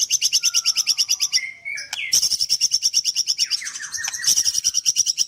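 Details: Kendal bird-farm white-rumped shama in nembak delivery, a fast machine-gun run of identical high notes, about three per second, broken by a short whistled slide before the rapid-fire series resumes.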